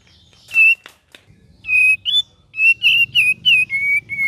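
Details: ['Cream-vented bulbul song in gacor and ngeriwik variation style: a soft rasp, then a run of clear, slightly wavering whistled notes, each short and level or gently falling, quickly repeated; faint low hum beneath.']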